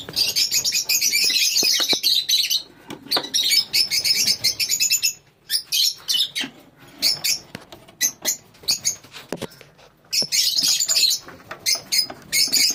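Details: Lovebird colony: dense, shrill chattering from many birds, bursts of rapid high chirps broken by short pauses near three, five and ten seconds, with scattered clicks between.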